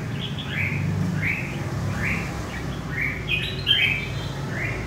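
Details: Wild-caught red-whiskered bulbul from central Vietnam giving short whistled phrases, each a quick rising-falling slur, spaced roughly every half second to a second, over a steady low hum.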